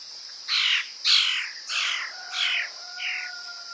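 A woodpecker gives five harsh, squawking notes about half a second apart, each broad and scratchy, fading slightly; a faint steady tone runs underneath.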